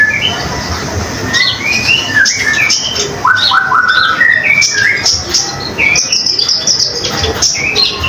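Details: Common iora singing energetically, used as a tutor song for other songbirds: a busy, varied stream of short slurred whistles and chirps rising and falling, over constant background noise.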